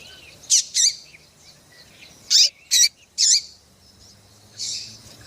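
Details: Female double-collared seedeater giving calls meant to get males singing: short, sharp, high chirps, single or in quick pairs, spaced irregularly over a few seconds against a quiet background.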